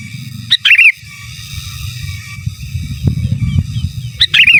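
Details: Gacor sooty-headed bulbul, giras and menggaruda, as master song: a high note then quick warbled slurs, repeated after nearly four seconds, with a low rumbling background and a couple of faint clicks between.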